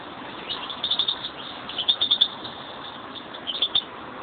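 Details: European greenfinches, a pet pair; three short runs of rapid, high-pitched chirps, three to five notes each, spaced about a second apart against a constant low hiss.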